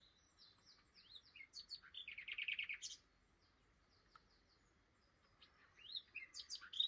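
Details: A migrating nightingale, which wintered in Africa south of the Sahara, sings early in the morning at Flowersbrook on the Isle of Wight. Varied chirps lead into a loud burst of rapid buzzy repeated notes, then silence, then new sharp phrases.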